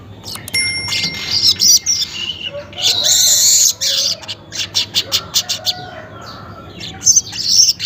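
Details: Weaver singing early in the morning, around 5:40, a lure song: bursts of harsh, buzzy, high-pitched chatter and sizzling notes separated by short pauses, with a steady thin whistle-like tone near the start.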